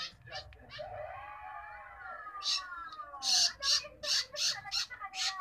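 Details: Long-tailed shrike chick being fed, softer sliding tonal sounds at the start giving way to a string of loud, raspy begging squawks about three per second.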